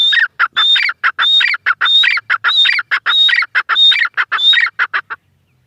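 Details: Repeated calls of a female grey francolin (teetar): loud, rhythmic phrases pairing a piercing high whistle with harsh, grating lower notes. The phrases come in quick steady succession for about five seconds, then stop.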